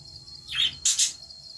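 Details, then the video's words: Budgerigars playing with each other give a short high chirp, then two quick bright harsh notes in a row, with a faint steady insect-like hum underneath. "Beautiful Budgies playing with each other"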